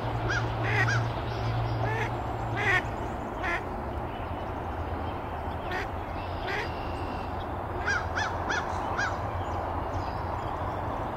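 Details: Mallard hen dabbling close to the camera at Canoe Meadows Wildlife Sanctuary, Pittsfield, Massachusetts, on 9 April 2024, giving scattered short nasal quacks at an uneven pace over a steady low background rumble.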